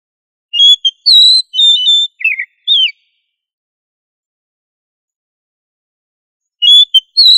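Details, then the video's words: Oriental magpie-robin singing 'gacor ngobra' style, as tutor material for other magpie-robins. A burst of bright whistled notes, some level and some slurred downward, lasts over two seconds. After a long silence a fresh whistled phrase starts. No other sounds. "Suara Burung kacer Gacor Ngobra"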